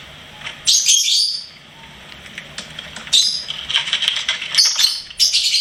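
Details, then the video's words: Pet lovebird singing and chirping: shrill squeaky chirp bursts, a pause, then a longer run of high twittering and squeaks. "LOVEBIRD SINGING & CHIRPING SOUNDS"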